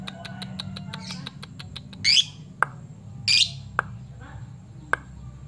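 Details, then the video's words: Lovebird ngepyak calling to challenge an opponent, as bait for fighter birds: quick dry clicks at the start, then two loud, harsh screeches about a second apart and a few scattered sharp ticks. "Lovebird ngepyak Memanggil"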